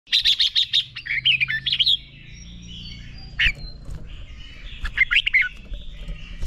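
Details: Red-whiskered bulbul training song meant to spur a bird into fiery fighting song: rapid bright chirped notes in a quick series, then a pause with faint background song and further sharp chirps, other chirping behind.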